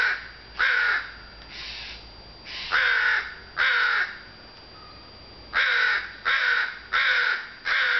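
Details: Crows cawing in sunshine early on a June afternoon, with harsh, rasping caws delivered in bursts of two to four, separated by short pauses, about a dozen calls in all.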